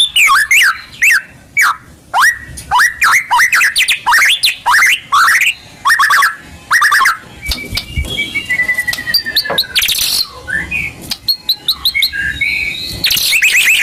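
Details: Lure song of a white-rumped shama (murai batu), a kept songbird, played to prompt other birds into singing. Long runs of quick rising notes and harsh chatter give way to drawn-out whistles and sharp bursts near the end.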